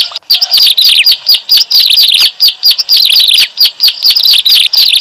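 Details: Bird-trapping lure of the bar-winged prinia: loud, shrill, overlapping chirps that tumble downward in quick clusters, nearly continuous throughout.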